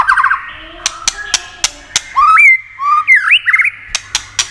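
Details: White-rumped shama song with clicking 'tạch' notes, used to excite other shamas: a rapid whistled trill, sharp dry clicks, then loud rising and falling whistles and a short buzzy trill, over a low steady hum.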